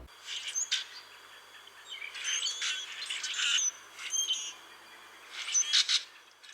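Common Grackle giving harsh, squeaky bursts and scratchy chattering notes in scattered clusters, with sharp high creaks over a low background hiss.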